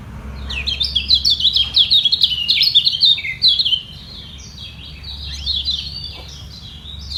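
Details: Lemon-bellied white-eye in a song fight with rivals below, neither giving way, defending its perch position. A loud, hurried run of high twittering notes fades into softer, scattered chirps after the midpoint over a low hum.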